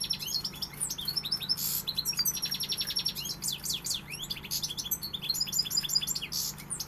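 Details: European goldfinch in sustained song: rapid liquid twitters, quick rising chirps and a short buzzy rattle, delivered almost without a break, bright and high-pitched.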